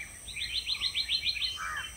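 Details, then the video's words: A black-naped monarch gives a quick series of about eight rising, whistled 'sweet' notes that are delivered fast yet individually countable, ending with a lower slurred note. "So, this is a black-naped monarch. And you can hear the individual sweet sweet sweet sweet sweet sweet sweet. So, these are rising notes delivered quickly."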